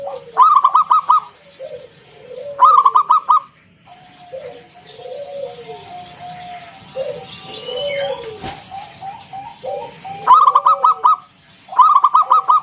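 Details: Lure song of a wild-type local zebra dove in ngalun kung bulat style: repeated bursts of rapid clipped notes every few seconds, with low arched coos and softer notes between, and a single sharp click midway.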